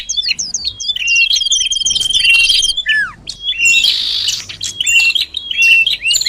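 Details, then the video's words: Common iora lure call to attract birds: a string of evenly spaced, hooked high chirps over a steady whistle, a falling slur, then scratchy twittering and chirps. "Suara Pikat Sirtu Cipoh || Di jamin Mendekat"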